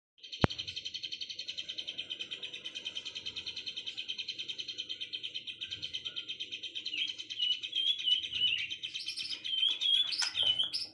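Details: Birds singing in the afternoon: a long, steady run of rapid buzzy trilled notes holds high for most of the stretch, then sharper chirps and whistled notes break in near the end.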